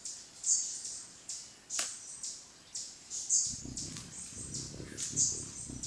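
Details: Velvet-purple coronet hummingbird recorded in Mindo, Ecuador, on 22 July 2017 at 15:00 with a Sony Alpha A3000: very high, thin chip notes repeated irregularly against steady background hiss and low rumbling noise.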